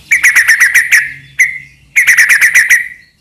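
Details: White-rumped shama song played to provoke other shamas: two rapid series of about eight repeated chirping notes each, separated by a single note and a brief pause.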